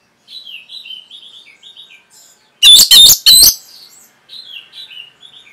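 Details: Training song of a caged Orange-headed thrush: soft, rapid warbled phrases run throughout, broken midway by three loud, ringing chirps, then the quiet twittering resumes.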